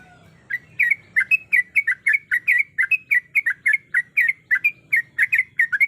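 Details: Female sooty-headed bulbul in breeding condition calling to a male: a rapid series of short, chirpy, slurred notes repeated about three to four times per second. Each note bends up and down. A faint low hum sits underneath.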